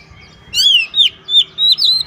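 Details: White-rumped shama (kacer) in gacor song, a brief run of four loud whistled notes, each slurring and bending, with a faint low hum behind.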